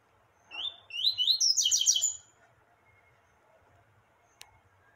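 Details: A rusty-collared seedeater sings in the tui-tui style: a brief phrase of clear, rising whistled slurs that quicken into a buzzy, rapid trill, followed by quiet.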